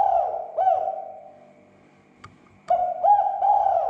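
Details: Spotted dove coos intended to make other doves emotional and vocal: a soft two-note phrase, a pause with a faint click, then a fresh mellow phrase of rolling notes.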